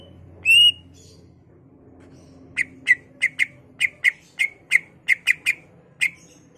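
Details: Greater green leafbird song to prompt other leafbirds to sing: one loud whistle, a pause, then a string of short sharp chip notes repeated about three times per second over a faint hum.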